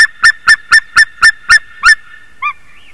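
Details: White-tailed eagle at 06:26 on 28 March 2019 giving seven quick, loud yelps in under two seconds, then one softer, lower note after a pause, the series tailing off into quiet.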